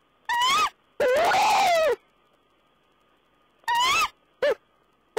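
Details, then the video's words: Owl vocalizing on 14 April 2010: short upward-bending squeals and one longer arched, hoarse cry, separated by silent gaps of about two seconds, then two brief clipped notes. "Owl's talk"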